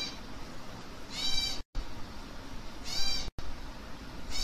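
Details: Baby African grey parrot chicks being hand-fed, giving two harsh, raspy, buzzy begging calls about two seconds apart, with a third starting at the end, over low indoor room noise.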